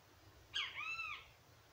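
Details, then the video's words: A great kiskadee visiting gives a single loud, strident phrase: a sharp opening note, then a long, slightly arched note with a nasal ring, lasting under a second. "O CANTO DO PÁSSARO BEN TE VI"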